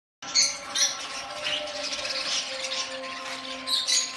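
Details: A large shipment of budgerigars chattering in a steady, scratchy stream of high squawks over a low mechanical hum.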